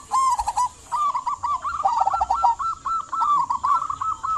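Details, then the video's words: Zebra dove song from a local bird, meant as a lure for silent doves: a short rolling phrase, then a long sustained run of rapid trilled coos at an even pitch. "Perkutut lokal gacor buat pancingan perkutut pendiam agar bunyi"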